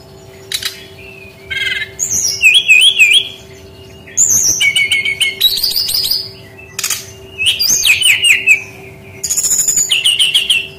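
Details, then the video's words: Brown-chested jungle flycatcher, used as a lure call to prompt lazy young forest birds to sing. Repeated bursts of high, clear whistles with looping, wavering notes and sharp chips alternate with brief pauses over a faint steady hum. "SUARA BURUNG SRDC PANCINGAN PANGGILAN SRDC BAHAN MUDA HUTAN MALAS BUNYI"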